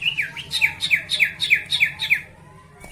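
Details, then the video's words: Sooty-headed bulbul song used as a lure to provoke rival birds into singing: a series of short, bright, slurred notes repeated roughly every third of a second, then stopping, with a faint low hum behind. "pancingan burung sirtu dijamin bikin lawan 100% cepat gacor"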